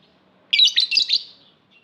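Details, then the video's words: Rapid string of five or six shrill, buzzy chirps run together in under a second, high-pitched and rasping, from a lovebird; otherwise quiet. "Lovebird Singing Call & Chirping Sounds"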